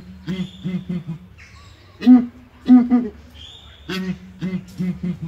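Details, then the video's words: Southern ground hornbills calling together in a small cage at ARTIS zoo: deep, low booming hoots in clusters of three or four, answered back and forth, with faint higher squeaky whistles between phrases. "𝐒𝐨𝐮𝐭𝐡𝐞𝐫𝐧 𝐠𝐫𝐨𝐮𝐧𝐝 𝐡𝐨𝐫𝐧𝐛𝐢𝐥𝐥𝐬 𝐣𝐚𝐦𝐦𝐢𝐧𝐠 𝐭𝐨𝐠𝐞𝐭𝐡𝐞𝐫"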